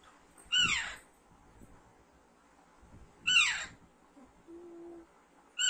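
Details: A pet Alexandrine parakeet, raised from young and being trained to talk, gives loud, harsh, rasping downward-sweeping screeches about every two and a half seconds, with a faint low hum between calls.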